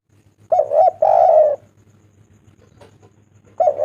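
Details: Loud coo phrases from a spotted dove (tekukur), recorded as a lure to make doves call: two long, rolling, throaty coos back to back, a short quiet gap with soft clicks, then another coo starting.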